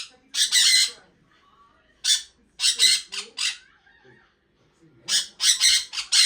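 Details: A pet sun conure gives harsh, piercing screeches in short chirping bursts, with pauses between each burst.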